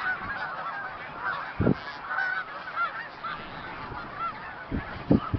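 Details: A flock of about 3,000–4,000 snow geese, with Canada geese and mallards, flies to and from a field near Route 34B in Tompkins County, New York, on December 20, 2009. They give a dense, continuous chorus of overlapping high yelping honks with a few wind or handling thumps; snow goose.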